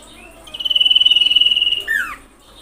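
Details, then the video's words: Common iora call played as a lure to agitate other ioras: a long, evenly pulsed high trill of over a second that ends in a loud whistle sliding steeply downward. "pancingan sirpu/cipow agar bunyi"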